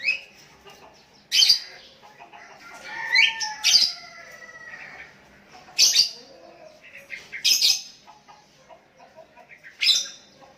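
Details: Sooty-headed bulbuls, one calling to a decoy rival and others replying: bright slurred whistles and chirps overlap with sharp clicking bursts. A longer falling whistled phrase runs in the middle, over a quiet background.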